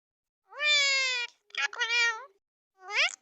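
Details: Pet rose-ringed parakeet talking: three drawn-out, nasal, mewing voiced sounds, the first long and level, the second broken, the last rising, in a quiet indoor setting.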